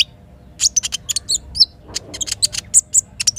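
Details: Forest-river morning with a little spiderhunter: irregular sharp high ticks and brief whistled notes, loosely spaced, some ringing chips near the end, over a steady soft low hum of water.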